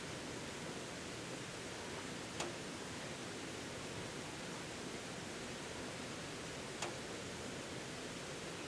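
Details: Steady broadband rushing noise like wind or running water, broken by two faint sharp clicks, with no animal voice heard.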